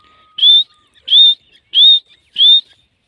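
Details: Female grey francolin (jangli teetar) calling: four loud, clear whistled notes, each rising slightly then levelling, repeated about every 0.65 seconds, with a faint steady tone underneath at the start.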